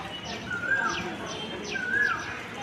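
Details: An Asian koel calls clearly, heard from a high rooftop, giving mellow whistled notes that swell up and then dip, spaced about a second apart, with faint chirps from other birds behind.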